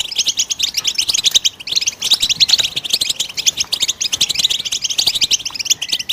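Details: Goldfinch singing, a recording meant to encourage other birds to sing: a fast, continuous, high twittering stream of tinkling notes and trills with hardly a break.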